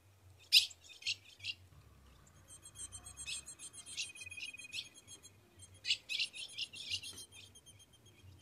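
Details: Female Ultramarine grosbeak in Rio Grande do Norte caatinga calling to the male for mating: sharp, high, buzzy chip notes in short bursts. A steady thin high tone runs underneath, with a faint low hum.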